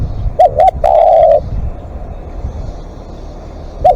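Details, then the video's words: During a live decoy session a spotted dove calls at length: two short coos, then one long steady coo, followed by quiet background and another coo starting. "เสียงนกเขาใหญ่ ต่อสดเรียกยาวๆ"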